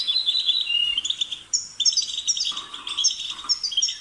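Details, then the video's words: European goldfinch pouring out quick, sweet twittering notes, a short pause, then more chattering trills with a few lower buzzy notes. "The sound of the goldfinch's chirping"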